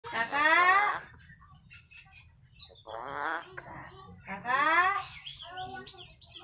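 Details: Eclectus parrot, locally called nuri bayan, imitating human speech: harmonic, voice-like phrases with rising and falling contours, three main bursts over about six seconds, with scattered high squeaky chirps between them.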